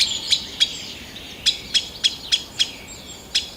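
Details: In Kalinovsky forest park, Yekaterinburg, 2020, a green sandpiper utters crisp clicking ticks, some spaced about a quarter-second apart, after a gap, with a soft high whistle in the background.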